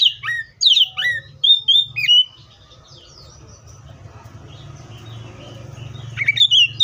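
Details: Oriental magpie-robin giving a quick run of clear, swooping whistles and sharp slurred notes, then a long quiet stretch of low rumble before one more brief whistled phrase at the end.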